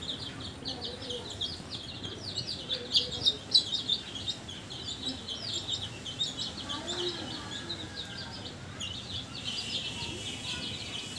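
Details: Newly hatched chicks kept at home give rapid, overlapping high peeps, about three per second, some louder notes standing out, with a low steady hum underneath.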